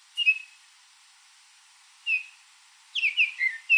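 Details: Baltimore oriole visiting a backyard where grape jelly is put out gives clear, flute-like whistles: a short note, another after two seconds, then a quick run of rich whistled notes at the end.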